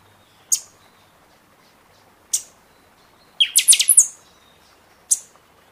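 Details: Buffy-fronted seedeater singing a lot during its season gives sharp, very high single notes about two seconds apart, then a quick burst of ringing metallic notes; the background is quiet.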